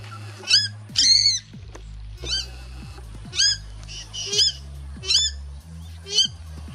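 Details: A family of Purple Swamphens in Australia, 10 March 2021, alarm-calling to warn their young chicks of a Red-bellied Black Snake: six loud, harsh, nasal squawks about one a second, over a low steady rumble.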